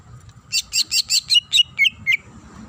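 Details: Female greater green leafbird calling a male delivers about eight harsh, buzzy chirps at an even quick pace, the last two becoming sliding whistled notes.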